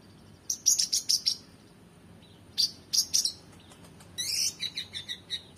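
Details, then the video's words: Oriental magpie-robin singing energetically with rich varied phrases, a tutor recording for training competition birds: three bursts of sharp, high chattering notes, each a quick run of four or five strokes, with a brief lower note between. "KONIN GACOR EMOSI FULL BONGKAR ISIAN MEWAH‼️Cocok Untuk Masteran Burung Lomba"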